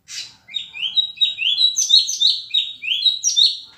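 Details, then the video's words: Clear, loud orange-headed thrush phrase: a rapid series of repeated upslurred whistled notes, about three per second, in a quiet background. "Anis kembang gacor dor suara keras dan jernih"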